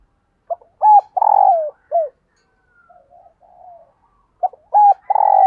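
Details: Decoy spotted dove calling wild birds in: a full phrase of a short hoot, a paired hoot, a long sliding coo and a brief falling note, a quiet pause with soft notes, then the phrase restarts.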